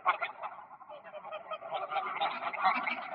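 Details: Flock of greylag geese on park ponds, 1 October 2024, giving a continuous mass of nasal, cackling honks that overlap without pause, swelling slightly toward the end.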